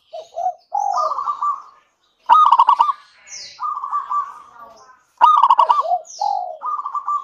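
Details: Zebra dove of local stock singing to prompt others of its kind: falling two-part coos build into loud staccato bursts about three seconds apart, followed by wavering sustained cooing, with faint high chirps above.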